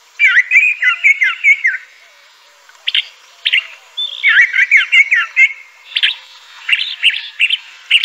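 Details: Crissal thrasher song, a bird of dense undergrowth near streams in the southwestern United States and Mexico: bursts of warbled, slurred phrases between one and four kilohertz, a pause of about a second, then varied choppy notes.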